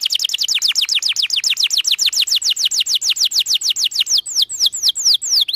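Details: Canary singing continuously and melodiously, a lure song for young birds learning to sing. Rapid, even series of high, descending whistled strokes gradually slows, ending with broader swooping notes that dip and rise again.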